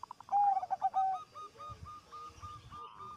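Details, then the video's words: Zebra dove song meant to draw other zebra doves into singing. A burst of bubbling, stuttered coos with lower slurred notes gives way to a slower string of soft, evenly spaced notes from another bird. "Suara Perkutut Gacor Suara nya bikin Burung Perkutut Lain Ikut BUNYI"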